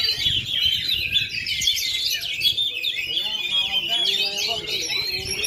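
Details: Oriental magpie-robin singing in a contest ring, a bird unmolted for 2.5 years performing at full power: continuous, jumbled high chatter and sliding whistles, with faint low voices around the middle.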